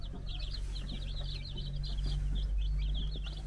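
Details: Four-day-old baby chickens with their brood hen on a farm in the Czech Republic; rapid bright peeps, roughly three per second, in quick chirping runs above a constant low drone.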